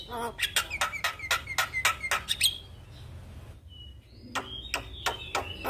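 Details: Javan myna in a morning session meant to spark a lazy bird to sing: fast series of clipped harsh notes about four per second, then a pause and more rasps with thin whistled slides, over a low hum.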